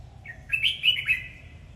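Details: Red-whiskered bulbul song during a dance display: a short lead note, then a clear, fast run of bubbling whistled slurs ending in a downward twist, with low hum behind.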